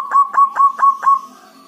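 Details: Local Java zebra dove, dhuduk and kerot calls used as a lure to provoke other doves: five sharp, evenly spaced tut notes, then a soft sustained tone fading out.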